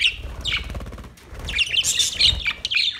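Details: August 26, 2023, a colony of white and green parrots: sharp, squeaky chirps and short screeches, with a brief quieter moment before a louder cluster of harsh notes.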